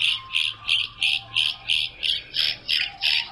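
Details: Limpkin (Aramus guarana), a southern species featured after one wandered to New England in early December 2025, gives harsh, raspy squawks about three a second in a steady series over a faint low hum.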